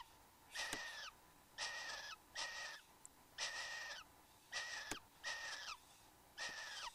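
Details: A male and female Satin Bowerbird at their bower in Australia, 15 Nov 2014, 9:05 am: harsh, wheezy rasping bursts, seven in seven seconds at an uneven pace, each with a slightly falling buzzy tone, plus a couple of sharp clicks.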